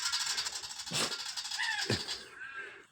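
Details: A Willie wagtail scolds dogs in a yard after being chased around by one, giving harsh, rattling chatter in rapid bursts with a few brief sweeter notes between; a voice may be faintly heard.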